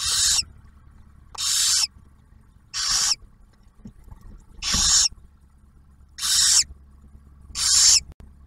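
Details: Barn owls nesting near Oak Harbor, Ohio, where the male brings food and the female feeds the first owlet; six rough, breathy hiss-calls in a loose rhythm, with a low steady hum and a few soft knocks behind.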